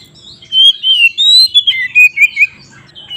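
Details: White-rumped shama singing a lure song used to anger other shamas into fighting: after a quiet start, a burst of warbled whistles with quick falling slurs and short clipped notes, ending softly.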